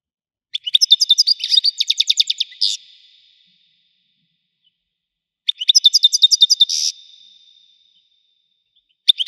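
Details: European goldfinch singing in the widani style: two near-identical phrases of rapid repeated chirps ending in a buzzy flourish, roughly five seconds apart, with silence between.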